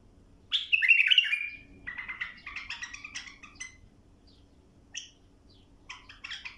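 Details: Bulbul song for training young birds to sing: a loud rich warbled phrase, followed by chattering, stuttered notes and scattered short chirps separated by brief pauses.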